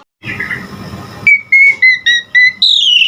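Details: Asian pied starling song used as a training recording for cage birds: a rough grating phrase, then a row of short clear whistled notes and a final longer slurred whistle.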